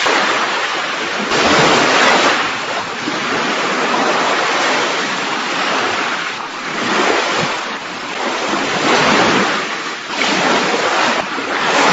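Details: Steady roar of ocean waves breaking in surges, with no animal voices heard.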